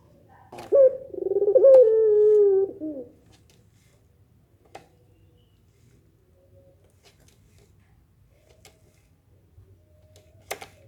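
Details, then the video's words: One long pelung nangguk coo from a Barbary dove, the kind that makes other doves respond, with a sharp onset and a low falling tail, followed by near silence broken by a few faint clicks. "suara puter pelung nangguk bikin puter lain saling respon"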